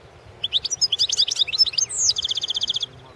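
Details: Single goldfinch phrase from a 2016 singing competition: quick jumbled tinkling notes, a downslurred whistle, then an even, rapid high trill lasting about a second.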